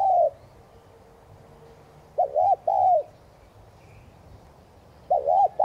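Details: Spotted dove cooing to prompt other doves to call. A short stuttered double note then a longer, softly falling coo repeats with gaps of about two seconds, over a quiet low background hum.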